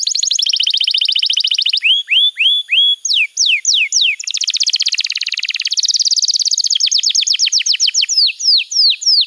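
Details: Canary master song for training young birds: a fast high trill gives way to spaced, rising whistled sweeps, then a dense buzzy passage and a series of sharp downslurred notes.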